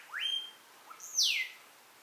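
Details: Melodious Blackbird, common in the region, singing in cabin gardens at Xpujil, giving two loud whistled phrases: a rising whistle that levels off, then a bright high note sweeping steeply down; quiet background.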